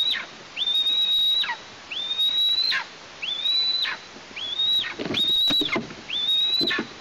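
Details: Juvenile female Eastern imperial eagle in Tatarstan, calling from near its nest on 17 August 2023, three days after its first flight. It gives clear whistled calls that rise, hold level and drop at the end, six in about seven seconds.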